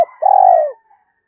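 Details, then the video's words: Spotted dove calling in the two-ending style meant to excite wild doves. A single long, smooth, low coo holds steady, then sags and fades, with a faint trailing note after it. "tieng cu gay kich boi nhanh noi, Gáy gọi hai hậu giọng hay"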